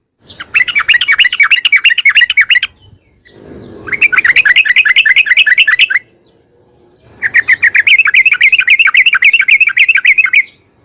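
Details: Sooty-headed bulbul giving a long, rapid-fire lure song meant to set other bulbuls singing: three extended runs of quick, bright chattering notes, the longest over two seconds, with brief gaps between runs.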